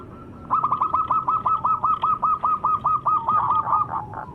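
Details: Zebra dove, locally called perkutut lokal, giving a rapid series of short rolling notes, about fifteen evenly spaced pulses over three and a half seconds, ending in a slightly blurred flourish; faint background hum.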